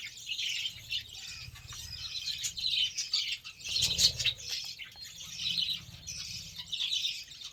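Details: Budgerigars eating beetroot give a soft, continuous high warbling chatter of chirps and squeaks, with one louder sharp note near the middle and faint low background rumble.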